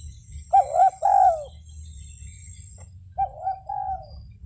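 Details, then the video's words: Spotted dove calling: a quick pair of hollow, wavering coos followed by a longer drawn-out coo, then after a pause two softer, lower coos, over a low rumbling background and a faint high whine. "SUARA BURUNG DERKUKU"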